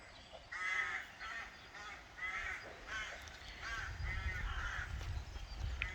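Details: Several rooks in St Breock churchyard, Cornwall, on an afternoon in broad daylight, give hoarse, grating caws in quick, overlapping succession, about ten in six seconds, over a steady low rumble of wind.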